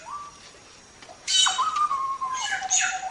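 Bright, scratchy chirps in quick bursts at the high end, laid over a long, level whistled note that steps between two pitches.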